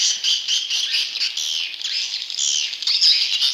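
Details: Lure calls of swiftlet chicks: a loud, insistent high buzzing twitter, densely packed, with quick pulsing notes running throughout.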